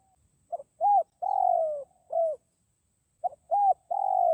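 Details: Forest spotted dove lure call for attracting wild birds: a short note, an arched coo, a long purring coo sliding downward, then a rounded coo. The phrase begins again after a pause, and the background is otherwise silent.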